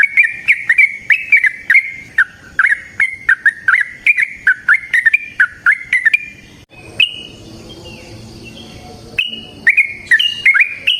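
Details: Long, rapid Yellow-vented bulbul song for luring other bulbuls: quick chirpy notes in fast succession for six seconds, then a short noisy gap before chirping resumes.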